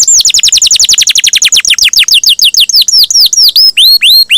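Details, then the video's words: Canary singing to stimulate other canaries to sing, a rapid run of sharp descending whistled notes that gradually slows, ending in fuller, widely spaced downward sweeps. "Pancingan Suara Burung Kenari Gacor, Ampuh Rangsang Kenari Cepat Bunyi"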